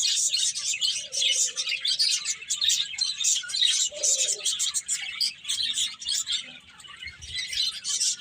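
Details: A steady wash of high bird chirps and twitters fills the scene, broken by a couple of brief lower, hoarse notes.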